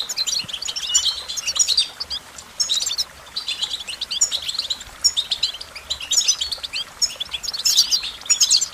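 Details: American goldfinch singing a long, rapid twittering series of thin, high notes with sharp whistled slurs clustered in bursts about every second, over a quiet background.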